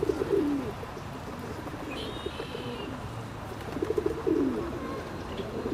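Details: Ring-necked duck giving a low, wavering call that slides downward, heard twice about four seconds apart over steady background noise, with a brief higher whistled note between them.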